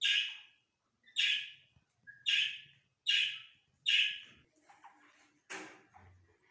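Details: Dakhni teetar, the grey francolin, heard in a breeding session: five loud, grating notes repeated roughly once per second, then a lull with faint rustling and knocks before one last harsh note.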